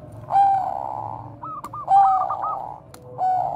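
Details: Repeated song of a Bangkok zebra dove, bekur koar-koar style, played to lure and train other doves; drawn-out, slightly falling coos alternate with a burst of quick knocking notes, phrases roughly 1.5 seconds apart.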